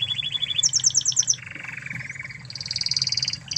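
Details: Spanish Timbrado canary master song from Spain for training canaries: a short trill, a higher rapid rattle, a lower buzzy roll and a fast high trill in quick succession.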